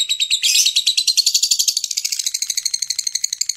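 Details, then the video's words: A Lilian's lovebird gives a long, shrill "ngekek" chatter of rapid, scratchy notes, about ten a second, loudest at the start and then running on steadily. "Lovebird Ngekek"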